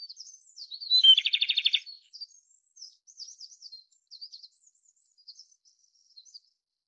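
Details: A single rapid, rattling trill from a Japanese robin, opening with a high clear note, over a steady background of faint high-pitched twittering from other birds.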